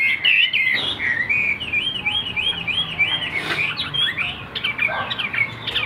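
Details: Afternoon song from a caged three-yellow hwamei not yet in full voice: rapid repeated arched whistles, several per second, mixed with varied warbled phrases and a few soft knocks in the background.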